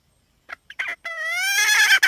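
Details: A hen utters a few short sharp notes, then one long, harsh, rising note that stretches out and grows raspier toward the end before a final brief note.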